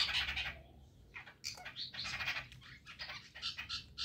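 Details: Several Chestnut-tailed starlings in the early morning, interacting with each other and giving harsh, chattering calls in irregular, quick bursts of scratchy high notes, over a soft background rumble.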